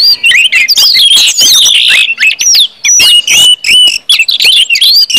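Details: Orange-headed thrush in loud, vigorous song used to prompt other birds to sing, a fast tumble of rising and falling whistles and buzzy chatter with short pauses.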